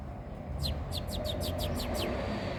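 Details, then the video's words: Saffron finch pair feeding: a run of eight short, high, downward-slurred chirps spaced evenly about every fifth of a second, over a steady low rumble of background noise. "Casal de Canários da Terra, se alimentando"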